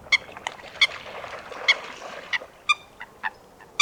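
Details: Wetland Coot uttering sharp, clipped, bright notes spaced irregularly over a few seconds against a steady hiss of background noise.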